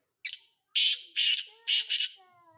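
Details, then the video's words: Harsh call of a Sindhi tetar, or black francolin, described as quality stock: a short sharp note then four loud scratchy, rasping bursts in a steady run, with faint low tones afterward. "Sindhi tetar"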